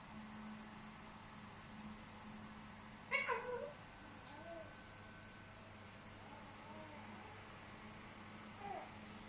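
A young cockatoo gives one short, nasal, wavering squawk like a meow, then a faint brief peep near the end, over a steady indoor hum.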